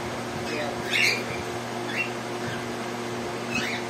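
A rose-ringed parakeet gives a few short, harsh squawks about a second apart over a steady indoor hum.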